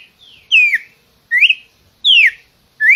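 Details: A Red-cowled cardinal (Paroaria dominicana) sings clear whistled slurs, alternating falling and rising notes, about one every three-quarters of a second, against a quiet background.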